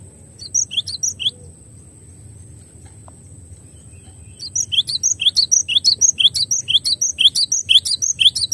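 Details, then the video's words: Cinereous tit (glatik batu) in a clear masteran: a brief chirping burst, a quiet spell, then a long steady sequence of sharp, high, two-part notes repeated about twice a second. "MASTERAN JERNIH GLATIK BATU HANDAL"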